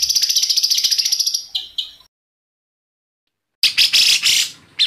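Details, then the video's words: Agitated, nonstop-singing white-rumped shama in a tutor recording: a high rapid trill that fades, a cut to silence, then harsh loud bursts and a short note. "MASTERAN MURAI BATU GACOR ! LANGSUNG NYEMPLONG & EMOSI !!!"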